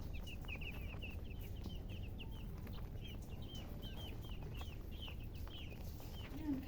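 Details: Chirping colour chickens (murgi), short high peeps coming in quick bursts, dense at first then spaced out, with a few louder, slurred notes, over persistent low-pitched background rumble.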